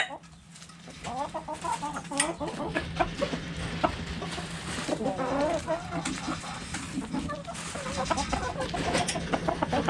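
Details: Backyard hens clucking in a flock, many short warbling and rising notes overlapping in a busy mix with a steady low hum and scattered knocks.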